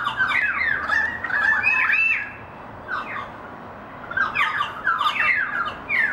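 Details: A currawong family group singing together: loud, rich, overlapping warbled and gurgling phrases with rising and falling slurred notes, in bursts separated by short pauses, several birds calling at once.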